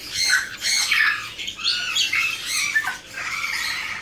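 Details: Rasping, rising and falling squawks come in quick succession from a tame pair of young blue-winged macaws, one male and one female born in 2017 and raised by hand in captivity.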